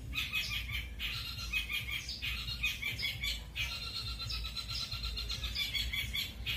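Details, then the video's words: A long-tailed shrike sings rolling "speed roll" and "shot roll" song material: a fast, unbroken run of bright, scratchy rolling notes in brief bursts over a low steady rumble. "CENDET PASTOL MATERI ROLL SPEED DAN ROLL TEMBAK"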